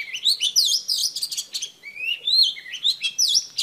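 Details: Female Oriental Magpie Robin in song meant to stir males, repeating bright V-shaped swooping whistles among rising slurred notes, steady and loud throughout.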